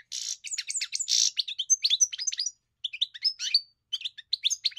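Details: Goldfinch song opening with harsh buzzy notes, then rapid tinkling twitters and chirps in several phrases with short gaps; quiet background.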